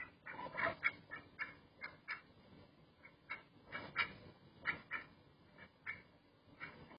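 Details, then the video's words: Fairly soft duck quacks repeated steadily throughout, short nasal calls arriving every half second or so with uneven spacing. "Relaxing Duck Sound"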